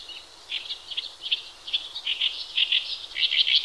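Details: Horsfield's bush lark in lively, nonstop gacor song, used as masteran tutor material for training other birds: a steady stream of short, bright chirps and trills, varied in pitch, that grow denser and louder toward the end.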